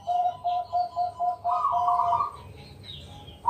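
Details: Zebra dove of the Bangkok type singing at night as a lure to draw other doves into song: a run of quick, evenly spaced soft coos about four per second, then a rolling, warbled trill.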